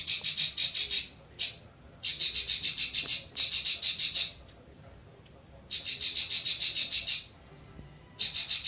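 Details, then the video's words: Continuous song of a klik-klik bird, recorded for training other birds: repeated phrases of quick, sharp, high clicks, each about a second long, separated by short pauses, a faint steady high tone in the background. "Burung Klik Klik Full Besetan"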